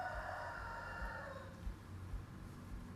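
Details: A rooster crows in the morning, later than usual: a drawn-out crow that trails off in the first half, fairly distant, over a steady low rumble of passing traffic.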